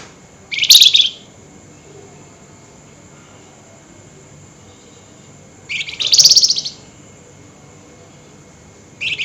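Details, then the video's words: Flameback calling at night in a highly excited mood: short, sharp, shrill rattling bursts, each lasting about half a second, spaced about five seconds apart, with a third starting at the end; quiet in between. "Tembakan Burung FLAMBOYAN GACOR Nyerecet Emosi Tinggi DiMalam Hari"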